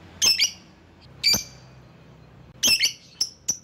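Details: Lovebird used to call rivals: loud harsh double squawks, a single shrill call, then two short sharp chirps, with faint low noise behind.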